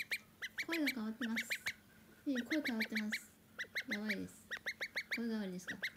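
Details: Call duck chick going through a voice change, the new voice appearing over three hours: bursts of high peeps sliding down into lower, buzzy quack-like notes, repeated in four groups.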